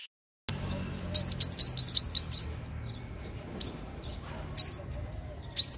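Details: Sunbird luring song: a rapid run of about eight bright, upslurred high notes, then three widely spaced single chirps, over a soft low rumble.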